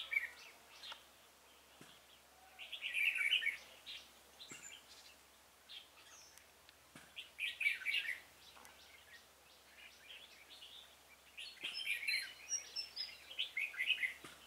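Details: Decoy red-whiskered bulbul singing to lure wild birds into a trap, recorded 26 February 2018; rich chattering warbled phrases in several loud bursts with quieter notes between, over a light background hiss.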